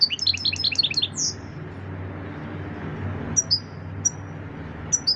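A European goldfinch opens with a fast, tinkling run of bright twittering notes, then adds scattered high, liquid chirps; a low hum runs underneath.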